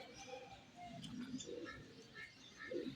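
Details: Morning pigeon calls: short low cooing phrases, one mid-way and one near the end, mixed with brief bright chirps of other birds in the background.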